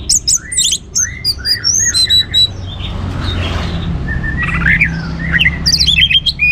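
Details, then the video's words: Orange-headed thrush (anis merah) singing actively, used to spur other birds into song: varied whistled and slurred phrases, some high and squeaky, others sweeping down, in bursts over a steady low hum. "ANIS MERAH Gacor Untuk Memancing Burung Jadi NGeplong Bahkan Teler"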